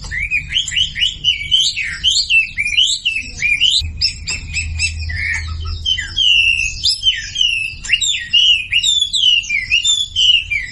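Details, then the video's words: Masteran-style song of a Sumatran leafbird, meant to coax silent birds into singing. Rapid looping whistled notes sweep up and down without pause, with brief sharp chips and a faint low hum underneath. "SUARA MASTERAN WAMBI UNTUK YANG DIAM IKUT KICAU"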